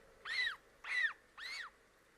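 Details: African penguin chicks calling at the nest on a live camera, while an adult preens and cleans the nest: three arched, wavering nasal calls about half a second apart over a steady low background hum.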